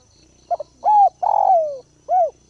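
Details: Spotted dove used as a ground decoy, calling to provoke and lure wild doves: two quick soft notes, a long level coo, a drawn-out coo sliding downward, then a final rounded coo, all low and mellow in a quiet setting.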